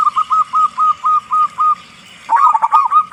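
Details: Zebra dove of a local Indonesian strain, a strong loud singer, used as a lure to set other doves singing: eight evenly spaced short hooked coo notes, a pause, then a tumbling, warbled rolling phrase.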